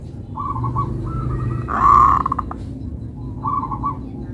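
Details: Local zebra dove with melodious phrasing. Short runs of soft, stuttered coo notes come before and after a louder, rougher burst in the middle, over steady low hum.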